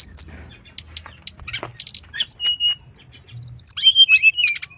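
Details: Brown-chested jungle flycatcher, described as a lure recording for a young forest bird and for males and females in breeding condition. High, varied chirps, short whistled notes and rapid buzzy trills, rising and falling in quick bursts.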